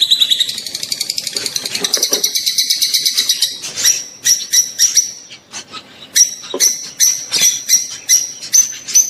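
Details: Mating calls of rosy-faced and Fischer's lovebirds, meant to spur the female into breeding: a long rapid, buzzy trill of high notes, then sharp shrill chirps in irregular groups.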